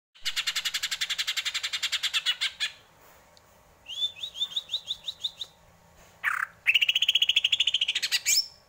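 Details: Greater green leafbird singing: a fast rapid series of bright chirps, then a run of rising whistled notes repeated quickly, a sharp downslurred note, and a long buzzy rising trill ending in a high whistle.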